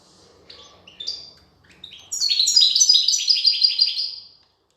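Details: European goldfinch female feeding chicks; a few soft high notes, then a loud two-second burst of rapid, buzzy, repeated high chatter ending abruptly.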